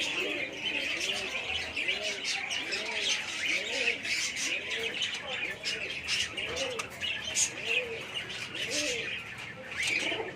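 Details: Domestic pigeons at a small hobby farm, five pairs for sale, cooing steadily: soft, low arched notes roughly every second, set against dense, shrill chirping of many small birds throughout.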